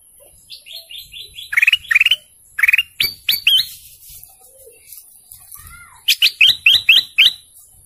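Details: A golden canary sings in quick bright bursts: rapid trills of repeated high notes, sweeping chirps and short rolling phrases, with a faint steady hiss behind.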